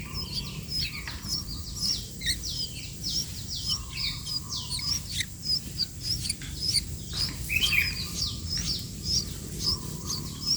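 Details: Sooty-headed bulbul in lively voice: dense, overlapping high chirps and short squeaky notes, continuous throughout, with a soft lower tone recurring in the background.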